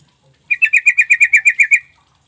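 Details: Lure call of the Sooty-headed Bulbul for coaxing reluctant birds to answer, heard cleanly: about eleven fast, bright, bubbly notes repeated evenly at the same pitch for around a second, in an otherwise quiet setting.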